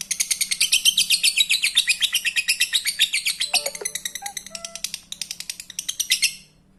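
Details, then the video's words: Lovebird song used to stimulate breeding, a fast run of high, harsh chirps repeated about four times a second for six seconds, with a few lower squeaky notes near the end. "Pancing birahi Lovebird anda dengan suara Lovebird ini"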